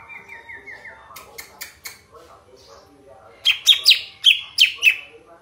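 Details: Sooty-headed bulbul, its song described as clear and strong: a soft descending rippled trill and clicks, then a loud run of six sharp, bright chirps in the last two seconds.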